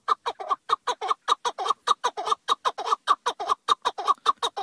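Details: Chukar partridge giving a continuous rapid series of harsh, clucking chuk notes, evenly spaced at about four per second and unchanged in loudness throughout.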